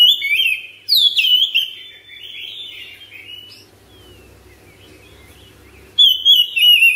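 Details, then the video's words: Household caged Oriental magpie-robin in ngropel song: an energetic opening of fast, ringing whistled phrases, fading into a long quiet stretch with faint low rumbling, then a fresh loud whistled burst at the end. "KACER RUMAHAN CEPAT GACOR NGROPEL NAFAS PANJANG"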